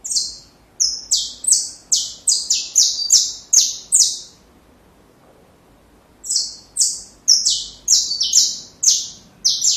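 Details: Tutor song of a saffron finch for young birds: bursts of rapid, high, falling chirps, some doubled, broken by a two-second silence before the series resumes.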